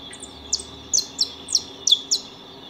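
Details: Saffron finches feeding at a house give short, high downslurred chips in a loose series of about six, with a steady electric-sounding hum throughout.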